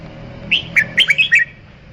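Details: Red-whiskered bulbul song: a single fast phrase of six clear whistled notes, each sliding up or down, packed into under a second over faint low hum.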